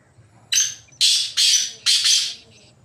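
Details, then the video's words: Wild, free-roaming black francolin calling: a brief rasping opener followed by three loud, buzzy, grating syllables run closely together, with a faint low hum underneath. "Kala Teetar Ki Awaz Black Francolin Voiceجنگل میں ازاد گھومتے ہوئے کالے تتر کی خوبصورت آواز"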